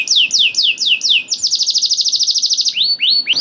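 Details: Canary in full song, used to encourage other canaries to sing. Descending whistled slurs repeated in a row, then a fast bright trill of rapid notes, closing with rising upswept whistles.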